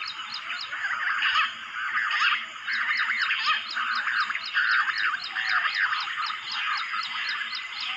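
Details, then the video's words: Bush quail, locally called jungal battair, lahori, juha or gundri, lured in the jungle with a mobile phone: a busy chorus of overlapping chirped and warbled notes rising and falling, over a steady high ticking of insects. "amazing Bush Quail video jungali | mobaile se bulaya jungal Battair Lahori Juha gundri"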